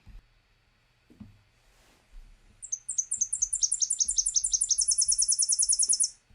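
A Tennessee Warbler sings a very high, loud three-part song of sharp chips that speeds up in each part and ends in a rapid, dry trill. Faint low thumps sit underneath.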